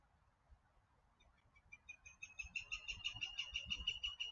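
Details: Pileated woodpecker calling, picked up on an outdoor microphone during a live stream: a fast, even series of sharp, ringing notes that starts about a second in and grows steadily louder, about six per second, over faint low rumble.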